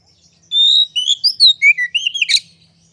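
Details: Oriental magpie-robin in vigorous song with tail spread, used as a lure to excite other magpie-robins. A long pure whistle opens a string of swooping whistled notes, ending in a rough buzzy chatter.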